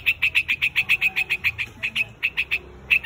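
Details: Quick series of short, grating notes from a white-headed quạch mốc gathering its flock. The calls come roughly every tenth of a second, then turn into a few spaced notes.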